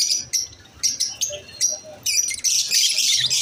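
Yellow-collared lovebirds give shrill, high chirps in quick irregular bursts, then break into a dense, harsh chatter of overlapping squeaky calls.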